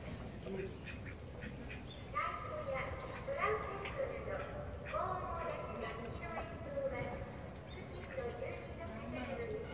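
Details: Call ducks, a domestic duck breed, at Inokashira Park Zoo in Tokyo just before 4 pm give loud, harsh, nasal quacks in bursts every second or two, several birds overlapping, over background crowd chatter and rumble.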